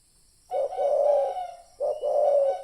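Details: Spotted dove lure call, used to draw in other doves: two low, hoarse cooing phrases, each a short note running into a longer sustained coo, separated by a brief pause.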